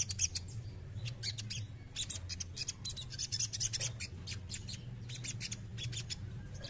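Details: Grating, rasping rattles from a male crested jay, many short clicking volleys following each other closely throughout, above a persistent low hum.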